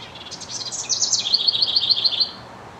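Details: A male House Wren singing to his mate gives a high, bubbly jumble of notes that settles into a quick run of about eight repeated chips, all in under two seconds.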